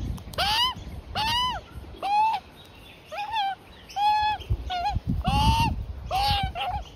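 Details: Front-yard lunch of an Australian magpie family, the youngster begging: strident, nasal, down-curving squawks in irregular series, about one each second, with brief gaps and low thumps and handling noise between calls.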